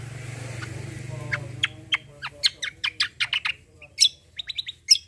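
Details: Javan grey-throated white-eye singing to stir other birds into song: a series of sharp, high, clipped chirps that speed up into a jumble, over a faint low hum at the start.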